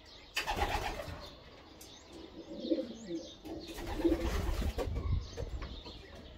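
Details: Kept homing pigeons raised as carrier pigeons, giving low, rolling coos that swell and fade twice amid broadband rustling and handling noise, with faint chirps above.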